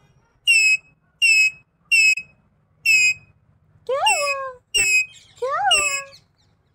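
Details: A ringneck parakeet named Mitthu, a friendly talking pet, chatters in a high, nasal, squeaky voice, saying "main Mitthu": short clipped syllables about once a second, then longer words with sliding pitch over a low hum.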